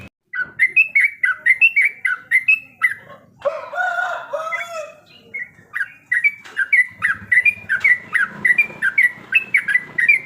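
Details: Trucukan, the yellow-vented bulbul, delivering brisk strings of clear, slightly rising whistled notes in quick succession, broken midway by a scratchy jumbled passage before the whistled phrases resume, with faint low background hum.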